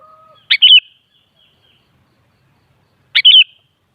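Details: Two crisp, bubbling chirp phrases from a sooty-headed bulbul, spaced about two and a half seconds apart. A faint, low, steady whistle opens the recording, then silence. Used to coax another kutilang into replying with song.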